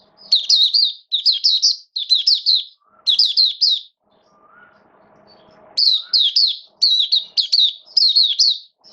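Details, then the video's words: Oriental white-eye kept as a hobby songbird, recorded 8 October 2022 during wet rainy weather: phrases of three to four high, sweet, wavering whistles repeated about once a second, a short break with soft rustling, then more phrases. "Mata Puteh Buka Sing"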